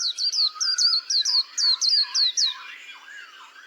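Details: Rapid string of about twelve bright, high down-slurred notes from a white-eye over softer, lower whistles, fading into quiet warbling.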